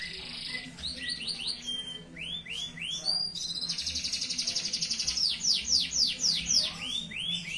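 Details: Canary in lively, persistent song: rapid bright trills and buzzy rolls mixed with repeated high downslurred whistles, several sweeps per second, with a faint low hum underneath.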